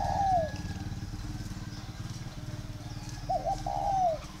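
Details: Home-bred tame spotted dove: a falling coo at the start, then after a pause a quick wavering double note and a long drooping coo, while a motorcycle engine drones throughout.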